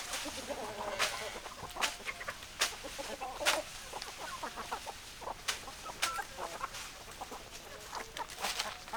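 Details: Many chickens cluck together in short bursts, against a hissing background. Sharp knocking and clicking sounds repeat roughly every second.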